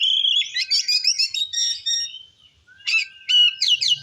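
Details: Oriental magpie-robin in full song, played to provoke other magpie-robins: rich varied phrases of whistles, chattering notes and buzzy trills, a brief pause near mid-clip, then fresh sweeping whistled phrases.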